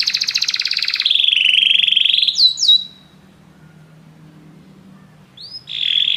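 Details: Canaries sing together after hearing music, starting with a quick buzzy trill that flows into a smooth whistled roll and two sharp upslurs, then near quiet before a rising note and another steady roll.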